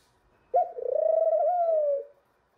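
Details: A young male ringneck (Barbary) dove, reaching puberty, gives one long, low coo of about a second and a half. It rolls briefly at the start, then holds a steady pitch, in quiet surroundings.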